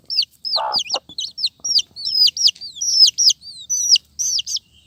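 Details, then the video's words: Colourful chicks calling in a rapid run of shrill, downward-slurred peeps, often in quick doublets, with one brief lower rough note near the start. "Suara Anak Ayam, Anak Ayam Warna - Warni"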